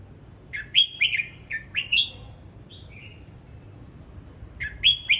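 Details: Red-whiskered bulbul practising its voice in morning song: a run of four quick bright whistled notes, a softer falling pair, then after a pause another burst of loud slurred whistles.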